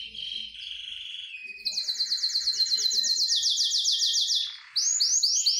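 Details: Canary singing excitedly, wanting to mate: a soft high tone, then a loud fast trill of evenly repeated notes for about three seconds, ending in slower, swooping whistled notes.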